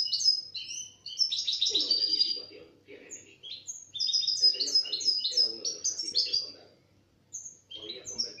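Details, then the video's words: Out of its box and singing, a European goldfinch recorded in 2017 delivers hurried, tinkling twitters and buzzy chips, then falls quiet before a few scattered notes. Men talk softly underneath. "Jilguero el cuchilla sacado del cajón cantando"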